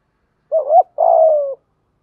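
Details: 'Thúc gù' urging coo of a decoy spotted dove, meant to train wild-caught or long-silent caged doves: a short wavering note rising at its end, then one long steady hollow coo dropping slightly before stopping.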